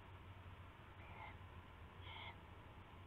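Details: Owl at night, February 19, 2016, before 4:15 AM, during a rabbit prey exchange; two brief rasping harmonic calls about a second apart, each roughly a third of a second, with a constant low electrical hum.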